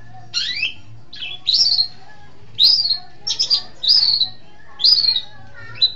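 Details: Long-tailed shrike song for training songbirds: a string of slurred, falling high whistles and scratchy notes, spaced about half a second to a second apart, over a faint low hum.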